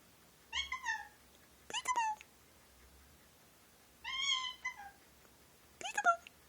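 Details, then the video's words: A male pet Indian ringneck parakeet talks indoors, mimicking phrases such as peek-a-boo, give me a kiss and thank you. Four short, rasping, harmonic word-bursts are spaced a second or two apart, with quiet room hum between them. "Indian Ringneck parrot talking"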